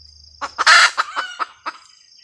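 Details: Brief cackle from a red junglefowl hen: one loud, harsh squawk flanked by a handful of short, spaced clucks, with a steady high whine and a faint low hum at the start.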